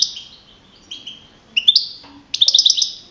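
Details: Young male field-type European goldfinch, first-placed contest singer with 42 points on 15 April 2012 at Navalcarnero, Madrid, Spain: high thin whistled notes, then short bursts of rapid twittering trills separated by brief pauses.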